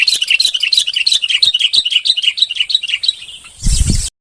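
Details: Red-whiskered bulbul of the bông type singing a steady, fast sequence of repeated two-part warbled notes, about three per second, cut off by a loud handling thump at the end.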